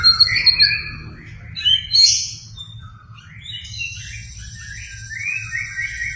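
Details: Energetic white-rumped shama song used to trigger another shama into singing: high bright whistles and rapid twittering phrases, then softer descending warbles and thin high sustained notes.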